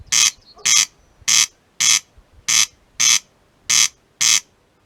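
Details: Corn crake singing at close range on an evening of 12 May 2018 in Simuna, Väike-Maarja parish, Lääne-Viru County, Estonia: a dry, rasping double 'crex-crex', two harsh scraping notes per phrase, repeated about every 1.25 seconds against quiet background.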